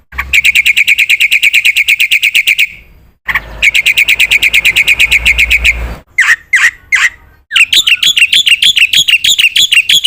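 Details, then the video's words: Black-winged myna delivering long rapid trills of evenly spaced high notes, two extended runs separated by a short gap, then a few harsh squawks and a faster, warbling stretch of chatter. "suara burung jalak putih gacor"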